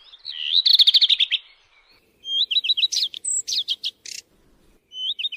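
A redstart sings high, clear phrases. Each opens with a whistled note and runs into a rapid repeated trill, followed by short, jumbled twittering and scratchy notes.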